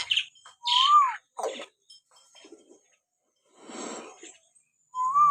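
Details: Common hill myna whistles used to provoke pet mynas to sing: buzzy harsh notes, a falling whistle, soft rasping chatter, then a final rising whistle.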